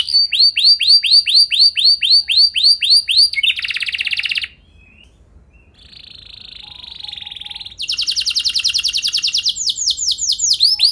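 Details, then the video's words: Canary song used as a lure for other canaries: evenly repeated upswept whistles about four per second, a short buzzy burst, a quieter steady trill, then loud rapid trilling. "Langsung Nyaut Gacor Dor Kenari Mana Saja Dengan Pancingan Kenari Lagu Mewah Ini"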